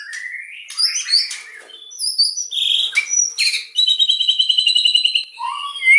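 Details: White-rumped shama, locally murai batu, giving a loud song in the 'nembak' style: varied high whistles, buzzy notes and quick slurred phrases, then a steady rapid trill of repeated notes for about a second and a half, ending with rising whistles.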